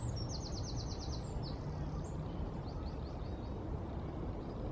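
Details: Eurasian (winter) wren in London, 4 November 2019, loud song: fast, high, ticking trills in quick runs, then a looser series of sharp notes, over a steady low rumble of background noise.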